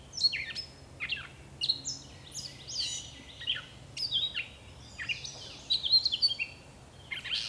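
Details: Gray catbird song from bush, bright and busy: quick squeaky notes, downslurred whistles and harsh chips tumbling in rapid succession, loud and close, with quiet low background noise.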